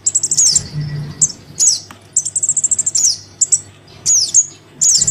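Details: Young crimson sunbird calling to its parent, used as a lure: rapid strings of needle-thin chips alternating with sharp falling squeaks, in bursts about every second.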